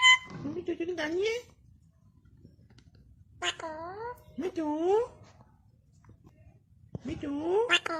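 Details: Alexandrine parakeet kept indoors, mimicking speech: three separate bursts of talk-like phrases with wavering, curved harmonic tones, each about a second long, with quiet pauses between.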